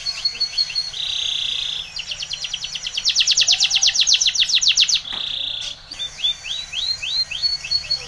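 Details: Spanish Timbrado canary singing a training song: a steady held whistle, a fast loud trill of rapid repeated notes, another held tone, then a run of quick rising chirps.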